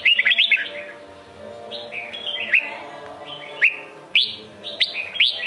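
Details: Red-whiskered bulbul, Sông Kôn song style: a quick cluster of sharp whistles, a quieter stretch of soft slurred notes, then loud upswept whistles returning near the end.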